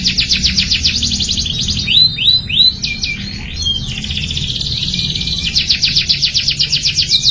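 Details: Young canary in training to become a strong singer: quick repeated chirping trill, then several loud swooping whistled notes and a softer rattle, before the rapid repeated trill resumes; low hum underneath.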